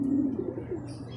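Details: Short, low, steady coo from a racing pigeon arriving in a group after a second truck training release in Guiguinto, Bulacan, fading into softer muffled notes over a faint background hum.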